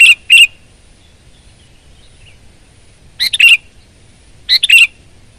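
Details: Sooty-headed bulbul, a very vocal bird, giving three short bursts of bright, warbled notes with a clear fluty tone, separated by long pauses, over a quiet low background hum.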